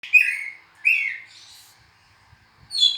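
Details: Oriental magpie-robin (kacer) song: two loud descending whistled notes near the start, a softer buzzy phrase, then a bright high note at the end, with quiet gaps between.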